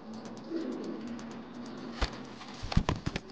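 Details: An angry male Modena king pigeon performing a display: a low, husky, drawn-out coo, followed by sharp clicks and thumps near the end.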